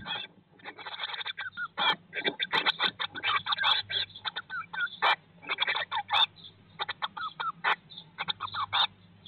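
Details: Eurasian blue tit nest box, day 19 after hatching in spring 2022: loud clusters of rasping, rapid high notes come in uneven bursts separated by brief pauses, over a constant low hum.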